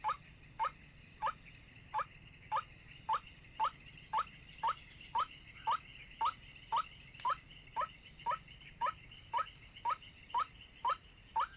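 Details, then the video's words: Looped white-breasted waterhen call used to lure birds into traps, a clipped rising note repeated steadily near twice per second for many repetitions, with a persistent high whine. "Pikat hanya menggunakan MP3 suara ruak-ruak"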